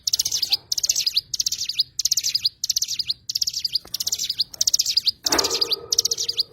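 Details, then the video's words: Oriental white-eye pouring out rapid high-pitched chirping phrases, about ninety per minute, each ending in a quick slurred note; a dull low bump sounds near the end. "burung cigun"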